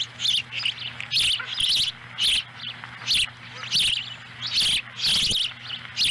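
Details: Ospreys at a Lolo, Montana nest on July 18, 2017, where the female brings a small fish and one chick eats it whole. Bursts of high, sharp chirping recur roughly every second over a constant low hum.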